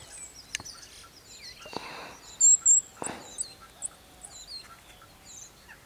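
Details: Common starling giving a jumble of high, squeaky whistles and chirps, with two brief louder whistled notes and a few sharp clicks and knocks; recorded 24 March 2015 at 7:46 am.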